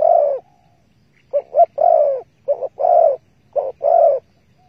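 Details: Spotted dove from a bird-trapping session using bare bait, dated 15 August 2020. It ends one coo, then gives three phrases of a brief two-part note followed by a drawn-out mellow coo. No other sounds.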